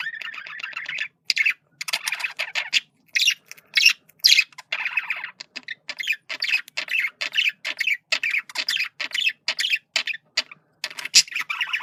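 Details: Male budgerigar chattering in communication: a long, nearly continuous stream of buzzy, grating notes and squeaky chirps, broken only by short pauses, at a quick steady rate of about two notes per second.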